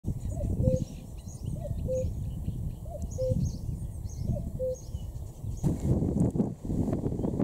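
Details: Common cuckoo in May 2017 at the north-eastern city border of Berlin: four clear two-note cu-coo calls, the second note lower, repeated about every 1.3 seconds over low rumbling background noise, ending in handling thumps.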